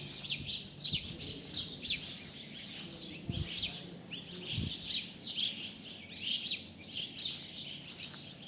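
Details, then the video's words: Bird calling with short, high chirps, several sharp notes clustered in bursts about once a second, some overlapping as if from more than one bird, over a soft low rumble. "Amazing Bird sounds"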